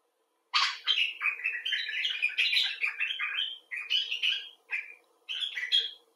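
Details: After a brief silence a common bulbul bursts into loud, expressive talk: a strong opening note, then a rolling string of slurred warbles, broken by two short pauses.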